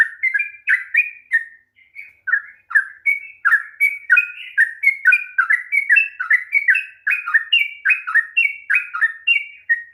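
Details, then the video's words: Long rapid 'ropel panjang' singing by a sooty-headed bulbul, intended to prompt a silent bird to sing: an energetic ten-second stream of clipped, down-slurred whistles, sometimes paired, with brief gaps and no background noise. "kicauan TRUCUK ROPEL PANJANG// perangsang bunyi trucukan malas bunyi"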